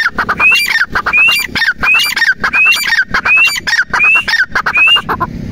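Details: A grey francolin (Francolinus pondicerianus) calls loudly and repeatedly. Each phrase is a harsh clucking run ending in a rising whistled note, about once every 0.7 seconds.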